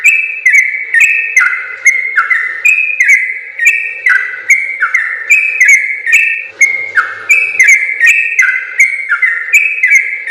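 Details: Sooty-headed bulbul singing the long gacor ropel training song for other bulbuls. Ringing whistles repeat in a fast, steady chain of rising and falling steps, and the song carries on throughout.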